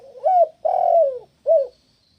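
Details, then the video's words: Spotted dove call used to lure other doves: a rising hoot, a long wavering coo sliding down, and a brief arched final note. "Terkuku mana yang ngak nyaut dengan terapi suara Burung Tekukur ini"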